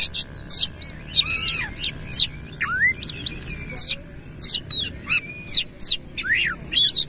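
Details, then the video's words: Oriental magpie-robin (kacer) singing energetically with its tail fanned, a rapid medley of sharp whistles, sweeping slurred notes and clicks at a steady pace, over a low hum of background noise. "KACER GACOR NEMBAK NGEROL FULL BUKA EKOR"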